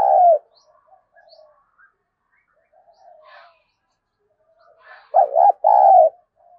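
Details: Spotted dove used as a calling lure, giving a short low coo, a pause with faint soft notes, then a strong two-part cooing phrase: a wavering doubled note and a longer steady one.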